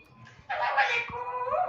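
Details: Female Alexandrine parakeet, kept as a pet, talking in Hindi. A quiet start gives way to a harsh, nasal, voice-like utterance about a second long, answering a person who greets it repeatedly indoors.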